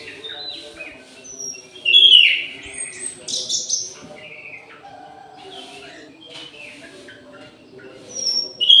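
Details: Orange-headed thrush in an aviary at midday singing a varied run of whistles, slurred notes and high squeaky chips, with quieter gaps and a steady low hum behind.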